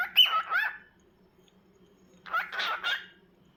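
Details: Cockatiel gives rough, wavering squawked calls in two groups, each falling and rising in pitch, with quiet between.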